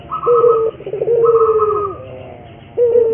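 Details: Lure recording for training a local puter dove to sing: a coo and a long trilled croo, overlaid by two flat higher tones, then a new coo beginning.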